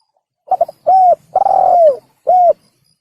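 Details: Spotted dove, called tekukur, used as a hunting lure: one cooing phrase of a short stuttered note, two clear arched coos and a longer falling coo, all low and hollow, no other sounds.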